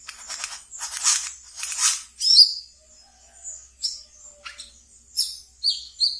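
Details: Pet brown-throated sunbird delivering ngeriwik song, used to draw in and calm new birds: opening buzzy rasping bursts, then one bright chirp, a pause, and scattered thin high chips and short trills.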